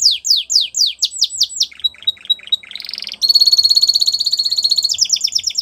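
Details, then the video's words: Canary song for training young canaries: repeated descending whistled slurs, a softer chattering section with a thin pure tone, then a long loud rolling trill and fast high notes. "The Best Canary Singing For Training"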